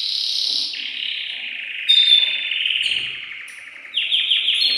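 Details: Male canary in an excited state, singing to arouse the female for mating: a high trill dropping into a long rolling buzzy note, brief bright whistle, then rapid repeated chirps at the end.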